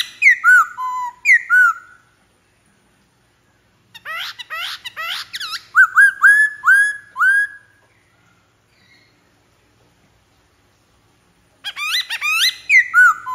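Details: Black-throated laughingthrush singing in loud bursts of fast, varied whistles and slurred falling notes, separated by silent gaps of a few seconds.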